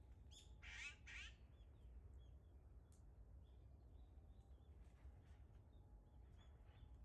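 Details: Two rasping, raspy squawks from an Azure-winged magpie in the first second and a half, followed by quieter scattered chattering notes over a constant low hum; recorded 15 December 2021.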